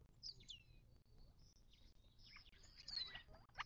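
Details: Mixed wild birds at a desert watering hole in the western Mojave Desert of southern California, near Joshua Tree National Park, on 19 March 2024: high, thin whistled notes sliding downward, with scattered overlapping chirps and a low background rumble.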